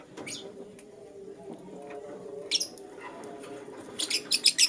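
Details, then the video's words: Lutino lovebird chirping in the morning: scattered short ticks, then a cluster of rapid, loud, piercing chirps repeated about every quarter second toward the end. "Lutino LoveBird Chirping Sounds"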